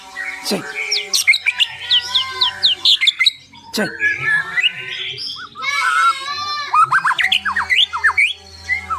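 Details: White-rumped shama in a cage giving a dense, varied song of slurred whistles, harsh squawky notes and quick rising chips, with a steady low hum and some background noise throughout.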